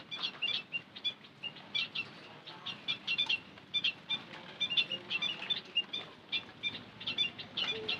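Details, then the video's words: Continuous quick chirping of white-headed munia as a lure sound, many short high notes tumbling over one another for the whole stretch. "Suara Pancingan Emprit Kaji - Bondol Haji"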